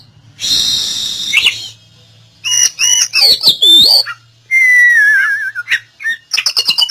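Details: Song of an Oriental magpie-robin used to bring a bird that has stopped singing back into song: a buzzy high burst, then looping whistled notes, a long descending warbled whistle and rapid clicking chirps, separated by short pauses.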